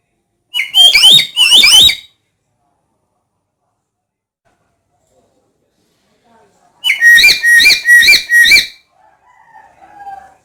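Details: Black-capped lory calling loudly: two drawn, bending whistled notes with a harsh overtone, a long pause, then a faster run of four similar ringing notes, and faint soft tones trailing at the end.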